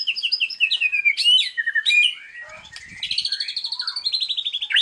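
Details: White-rumped shama song, a lively, gacor-style filling for birds that have stopped singing. Rapid varied whistles sweep and slide between high notes, then fast trilled high phrases repeat about every half second, with brief low clicks midway.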